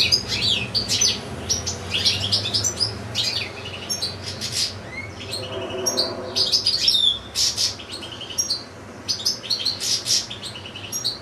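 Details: Long recital from a caged European goldfinch housed with a second goldfinch and two little goldfinch-canary hybrids: continuous rapid twittering, buzzy trills and sharp chirps, with one brief lull before resuming in bright jangling bursts.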